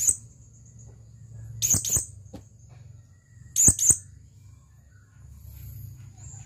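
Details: Male blue-crowned hanging parrot calling a female, producing paired high, sharp chirps twice, about two seconds apart, over a steady low background hum and a thin continuous high tone.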